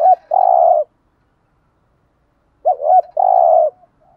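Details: Male and female spotted doves cooing to rouse a trained bird. Two phrases follow a short pause, each a quick warbling two-part note then a drawn-out, purring coo, with nothing else heard.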